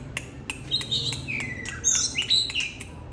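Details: Oriental magpie-robin singing and displaying with gusto at a keeper's home: short high whistled phrases, including a sliding downward note and bright piercing notes, broken up by dry clicks.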